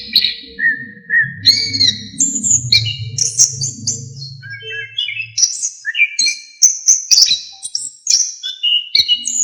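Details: Orange-headed thrush in energetic, varied song full of fill-in phrases, used as a master recording for training songbirds: rapid whistled notes and trills jumping between mid and very high pitch, with a low droning hum underneath for the first half.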